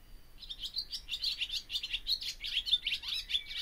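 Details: Rapid, dense barn swallow twittering: high scratchy chirps tumbling one after another at a brisk pace, with a brief downward slur near the end.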